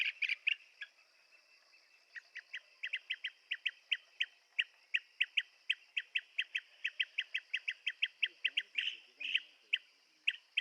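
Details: Blue-tailed bee-eater giving short, clipped chirping notes in a steady run, about three to four per second, with a few louder bursts at the start. A constant high insect hum runs underneath.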